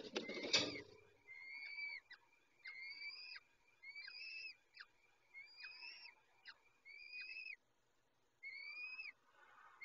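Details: Peregrine falcon during a feeding, giving a loud rustle and then a series of about seven clear, whining whistles. Each whistle is level and ends in a downward flick, repeated roughly once a second with brief clicks between.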